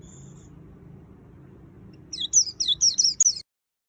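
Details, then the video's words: Near silence with a faint high tone gives way to a white-eye's burst of five or six rapid, high, down-slurred twittering notes, ending abruptly. "Suara Burung Pleci Gacor Full Isian - Tiếng chim vành khuyên líu"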